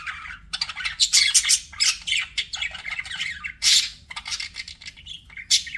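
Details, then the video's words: Loud, energetic budgie chirping with harsh, buzzy squawks and bright tweets packed closely together in rapid bursts, with a few short pauses. "BUDGIE SOUNDS"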